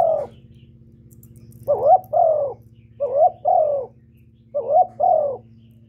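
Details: Continuous cooing of a spotted dove used to draw in other doves: paired hoarse coos, a short rising note then a longer falling one, repeated about every one and a half seconds over a faint low drone.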